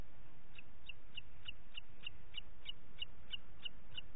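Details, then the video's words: Booted eagle in Parc Natural dels Ports, 27 June 2021, shortly after nine in the morning, giving a regular series of thin, high piping notes, roughly three each second, over faint low rumble. "Àguila Calçada"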